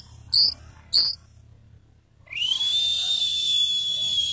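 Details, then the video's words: Caged orange-headed thrush, worn out after forced exercise. Two short high chirps are followed by a long, steady whistle that rises slightly at the start and holds for about two seconds over faint low hum. "Anis merah teler tidak mengenal tempat"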